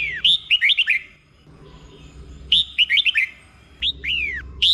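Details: Red-whiskered bulbul 'berl' song, slow and clear, for caged bulbuls to learn: two matching phrases of five or six bouncy down-slurred whistles, then two separate falling notes, with faint background murmur.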